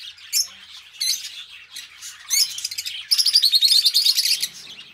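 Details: Two pet budgies give a few separated squeaky chirps, then break into a fast, buzzy, continuous chattering trill.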